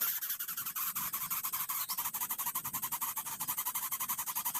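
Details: A young Greater Coucal kept as a pet calls for food in fast, rhythmic, breathy rasps, like rapid panting, about four per second, continuous throughout.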